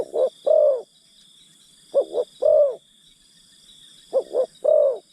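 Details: Spotted dove used as a lure for wild birds, giving three cooing phrases of two quick notes and a longer drawn coo, spaced about two seconds apart, over steady high-pitched insect drone.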